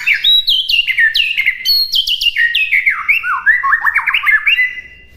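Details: White-rumped shama song used as a master recording for other songbirds to imitate: rapid loud whistled phrases stepping down in pitch, then trilled notes and rising slurs, continuous and clean with no other sounds.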